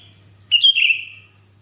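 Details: Sooty-headed bulbul in full voice, played so other bulbuls will sing: one clear whistled phrase, rising briefly then gliding down, followed by a faint airy overtone, low hum in the background.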